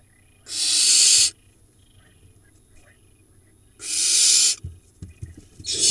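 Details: Barn owl nestlings in a monitored nest box in the Hula Valley, Israel, late June, from a late-laying pair; long harsh hissing screeches, two bursts about three seconds apart, a third starting at the end.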